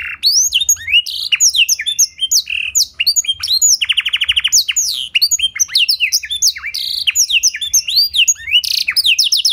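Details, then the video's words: Canary singing with a blackthroat-style filling, used as a lure and master recording for training: a rapid, unbroken stream of high sweeping chirps and whistles, with a buzzy trill near the four-second mark, all in very clear tone. "Pancingan & Masteran Burung Kenari Isian Blackthroat Suara Jernih! Bakal Langsung Ikut Gacor"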